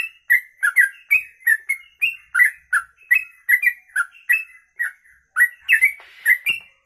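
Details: A sooty-headed bulbul pours out a long kongslet song: quick, liquid, slurred whistles in an unbroken chain of about three notes per second, some doubled, over crisp high clicks and a quiet background.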